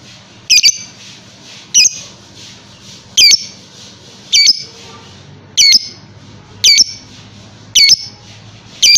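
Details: A lovebird, presented as a long-duration contest bird, gives shrill, harsh squawking bursts repeated about every second.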